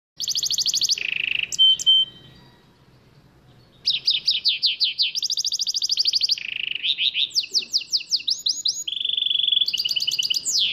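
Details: Red saira (Belgian) canary in full training song: high, rapid trills in quick-changing tours of repeated notes, one brief pause early on, then rolling and sweeping phrases.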